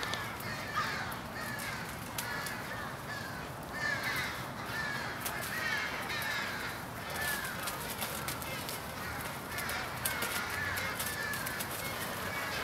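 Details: A large evening pre-roost aggregation of American crows in Charleston, Coles County, Illinois, USA, on 16 January 2015. Rasping caws come in bursts from many birds at once, layered over a continuous low hum.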